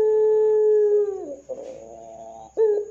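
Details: Actively calling ringneck dove, 'dor' style lure call meant to make other doves join in: the end of a long, level coo falls away, followed by soft rolling murmurs and a brief fresh coo onset.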